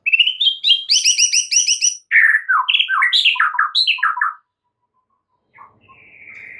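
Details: White-rumped shama master song meant to excite other shamas into singing: a rapid run of repeated bright chirps, then varied whistled and slurred phrases dropping and rising, followed by a pause and one thin drawn-out whistle.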